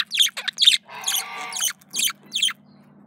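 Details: Male budgerigar courting itself, giving short bursts of high chirps separated by gaps, with a long rasping buzzy note in the middle and a faint steady low hum underneath.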